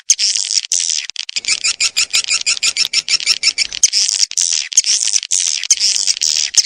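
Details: Swiftlet call: dense, high buzzy chirps in rapid clicking runs, fast trilled pulses in the middle, then longer harsh twittering bursts, loud and continuous throughout.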